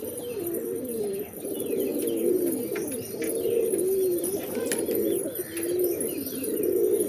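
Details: Low, wavering pigeon coos in a steady stream, each phrase a burbling roll that dips and rises, with a few faint clicks and a light hum in the background.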